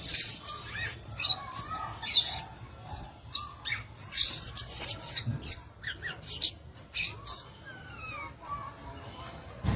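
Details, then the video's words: Violaceous euphonia song: a rapid, busy jumble of very high, sharp chips, short whistles and buzzy notes in bursts, with a few lower warbled phrases between them. "Belíssimo Canto do Gaturamo Verdadeiro, ou Guriatã"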